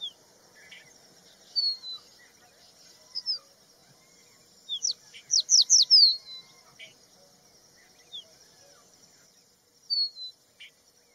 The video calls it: Bird singing:Crested Bunting